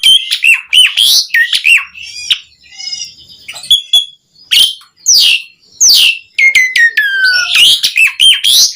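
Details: Lively, varied song of an Asian pied starling, meant to stimulate other starlings into singing: rapid bursts of loud whistles, harsh chatter and clicks, with brief pauses and a long falling whistle near the end.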